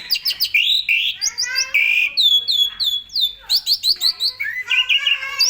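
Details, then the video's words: Asian pied starling singing a busy mix of slurred harmonic whistles and rapid chirps, about three notes a second, used as training song for other songbirds. "SUARA BURUNG JALAK SUREN GACOR FULL ISIAN AMPUH buat MASTERAN SEMUA BURUNG KICAU"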